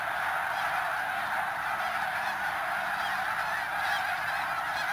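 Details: Flock of snow geese at Pennsylvania's Middle Creek WMA, a somewhat distant, unbroken chatter of honking voices blending into one steady sound.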